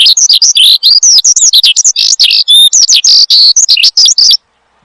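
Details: Energetic gacor singing from a caged Horsfield's bushlark, meant for luring and tutoring other birds: a torrent of varied high whistles, buzzy slurs and quick chirps with one brief clear double tone, ending abruptly in silence.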